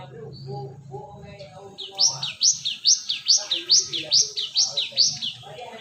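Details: Cinereous tit lure call for attracting birds: after low murmuring and soft background noise, a run of about nine bright, swooping whistled notes repeated steadily about twice a second, with faint low hum beneath.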